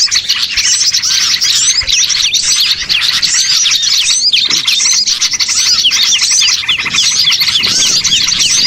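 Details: A loud gathering of small birds used as a catching lure, with sharp, hooked chirps and squeaky twitters packed tightly together in an unbroken, frantic chatter.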